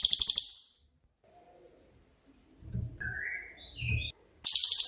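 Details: A cililin, kept as master song for songbird training, ends a shrill pulsed trill, then gives brief whistled slurred notes amid low thumps before a fresh sharp high trill of quick pulses.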